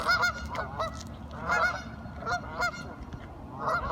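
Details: Ducks talking among themselves, giving bursts of nasal, harmonic quacks in quick clusters about once a second, with a low background rumble.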